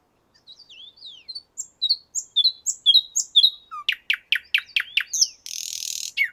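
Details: Common nightingale singing in a Moscow park: soft high whistled notes, then louder repeated sharp downward-sweeping chips about three per second, closing with a dense buzzy burst and a final low note.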